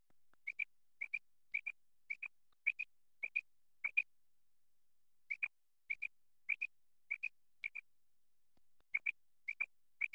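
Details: Quail, Khyber Pakhtunkhwa, Pakistan, tied to quail hunting: long run of about sixteen high, sharp double pips, evenly spaced near half a second apart, broken by two brief pauses; quiet surroundings.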